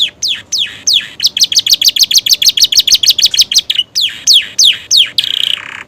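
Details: Canary singing with imitations of bar-winged prinia and sooty-headed tit: downward whistles lead into a rapid, even trill of about four notes a second, followed by more sweeping whistles and a short buzzy ending.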